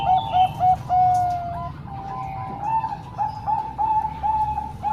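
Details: Zebra doves, three Bangkok birds and one local, singing for training young birds: soft mellow cooing notes in short repeated phrases with stutters, low background hum.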